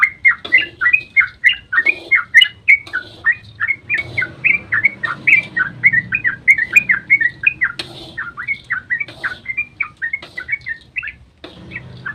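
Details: Yellow-vented bulbul delivering a long dawn ropel to provoke other bulbuls to reply; sustained fast chatter of bubbly rising and falling notes, fading slightly near the end, faint background rumble.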